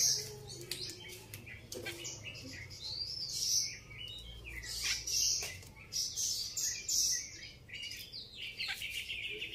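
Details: Grey-cheeked bulbul giving a series of sharp, high chirps and short whistled notes in irregular bursts, about one every two seconds, over a steady low background hum.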